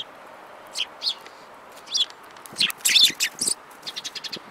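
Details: A flock of sparrows, among them one with a yellow beak, recorded 5 February 2018, with scattered high chips building to a dense, overlapping chatter near the third second, then quick repeated notes.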